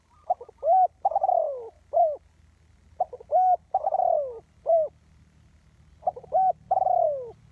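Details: Lure spotted dove calling to draw wild doves to a trap. Three phrases repeat a pattern: short rising notes, a long coo that slides downward, then a clipped final note.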